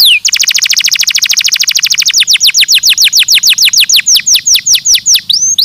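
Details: Canary singing a stimulating song: a dense, rapid rolling trill that slows into distinct repeated falling whistled notes, with a final rising note, loud and clear against faint background.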